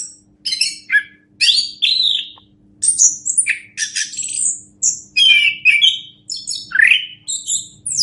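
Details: Orange-headed thrush singing, a recording meant to tutor other songbirds: bursts of high, varied chattering and whistled notes, some downward slurs, separated by short silences, with faint background hum.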